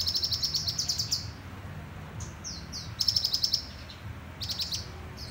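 Sunbird song: thin, very high rapid trills lasting about a second, with short downslurred notes and buzzy bursts between them, over a faint low hum.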